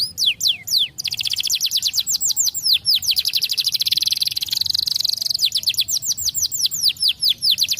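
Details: Canary song used to train young canaries: rapid series of high, down-slurred whistled sweeps, then a dense buzzy rolling trill, then more quick descending notes.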